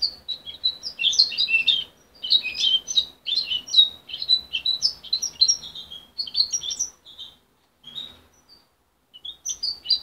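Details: Young goldfinch hybrid, raised by its mother and separated at 23 days, still practising and muddling its song: rapid bursts of high twittering, tinkling notes and short trills in phrases of one to two seconds, with brief pauses between.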